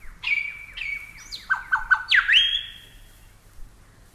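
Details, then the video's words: Superb Lyrebird from Australia, a few loud whistled notes that slide down into a held tone, a quick run of three clipped notes, then a bright rising-and-falling whistle that fades away. "Superb Lyrebird"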